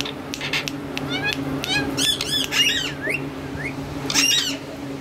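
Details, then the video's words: Green parrots, several females and one talking male, producing a mix of whistled, rising and falling calls and harsh chatter over a steady low background hum. "one talking Parrot"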